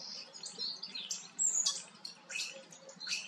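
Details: Common starling singing while preening, filmed in the Eifel: a jumble of high whistles, squeaky notes and rasping bursts, with a bright whistled note near the middle and buzzy fragments toward the end.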